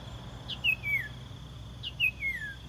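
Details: Common iora used as a decoy to attract birds: two matching phrases, each a short sharp note followed by a long descending whistled slur, over a steady high hum.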